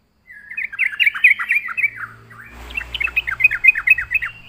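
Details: Yellow-vented bulbul in lively full song, used to lure other birds: bright, bubbly chattering phrases of rapid rising and falling whistled notes, two bursts, the second over a faint low hum.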